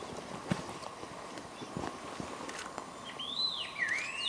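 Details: Scaly laughingthrush at Eaglenest, Arunachal Pradesh, India, gives a few clear, arching whistled notes, rising then falling, near the end, over steady background noise and irregular knocking footsteps.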